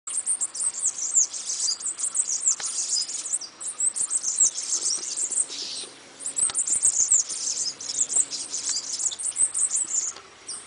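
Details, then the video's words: Bananaquit song: a high, thin, hissing jumble of rapid sibilant notes and buzzy trills, delivered in bursts with brief pauses, nearly all in a very high register. "CANTO DO SIBITE"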